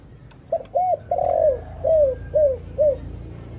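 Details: Spotted dove lure coos for attracting other doves. Two short arched notes, then a long falling coo and three shorter, falling coos, over a steady low background rumble.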